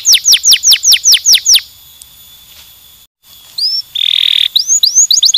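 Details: Canary stimulating song: a fast run of about eight steeply falling whistled sweeps, a pause, then a short rising note, a buzzy steady trill, and quick rising whistles repeated rapidly.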